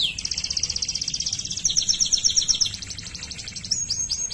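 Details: Waterslager canary producing a long, fast, high pulsed trill that changes tempo midway, finishing with a few short, sharp, descending notes.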